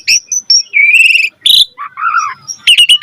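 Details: Asian pied starling singing a varied master song meant to train birds: clear short whistles, a long level buzzy trill, a harsh burst, wavering lower warbles and closing chattering notes.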